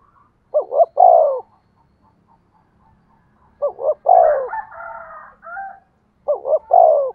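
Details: Spotted dove decoy call used to stir wild birds to coo. Three cooing phrases, each a short doubled hoot and then a drawn-out falling note, with a higher wavering call from another bird after the second phrase.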